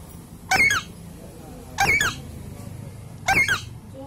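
An Alexandrine parakeet repeats the same squeaky, nasal word-like phrase three times, about every one and a half seconds, over a quiet indoor hush.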